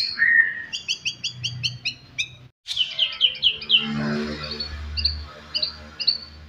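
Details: White-rumped shama song used to provoke rival birds: a long whistle, then a rapid series of paired high notes, a brief pause, and more quick whistled notes over low background rumble.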